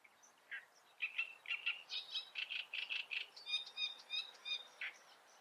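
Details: Great reed warbler (Acrocephalus arundinaceus) in full song: a long, loud run of rasping, croaky notes repeated rapidly in rough pairs, switching between lower grating and higher squeaky syllables, with no other clear sounds.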